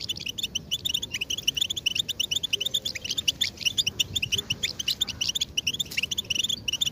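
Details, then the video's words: European goldfinch mating calls used as singing stimulation to excite males into song; dense rapid high twittering chirps, many overlapping notes throughout, with a low background hum. "بتبتة الحسون نداءات التزاوج والهيجان"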